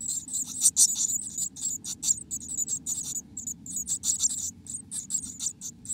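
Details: Inside a black-capped chickadee nest, dense bursts of shrill, high squeaky notes tumble out in irregular clusters with brief gaps, against a faint low rumble.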